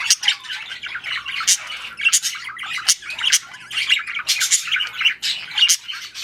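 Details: Budgerigars in a mating and breeding context: rapid, harsh squawking chatter in pulsing bursts about twice a second, with thin high chirps mixed in.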